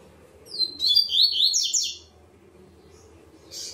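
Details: Double-collared seedeater singing in a web singing tournament, one bright phrase of quick slurred whistles and sweeping notes lasting over a second, with a faint low hum underneath.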